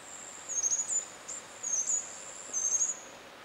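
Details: A White-browed Scrubwren at Upper Yarra Reservoir, Victoria, Australia, on 31 May 2019 gives three short bursts of very high, thin, scratchy chatter, roughly one per second, over a faint steady hiss.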